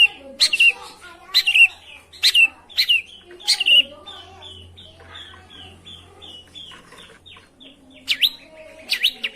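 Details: Long-tailed shrike singing as a lure for a reluctant bird: harsh downslurred notes, then a soft run of quick whistled chips, ending with more rasping calls.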